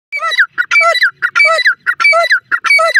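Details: Indian grey francolin calling loudly: a ringing, multi-note phrase with a low note and sliding whistles, repeated about every 0.6 seconds, five times in clear succession.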